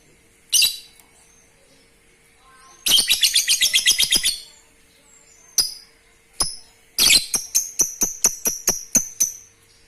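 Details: Lovebird calls used to stimulate breeding: an opening shrill note, a rapid chattering burst, scattered sharp clicks, then a quick run of high, evenly repeated chirps fading out.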